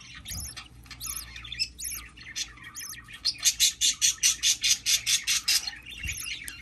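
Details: Hatching baby budgerigar: a few scratchy high squawks, then a steady run of about fifteen rasping pulses, roughly three each second, before the squawks return; a low hum sits underneath.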